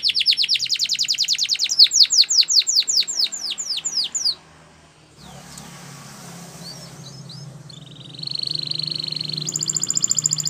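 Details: Spanish Timbrado canary singing a training song: rapid run of steep descending whistled sweeps slowing toward the end, a quiet pause, then a sustained rolling trill and high buzzy notes.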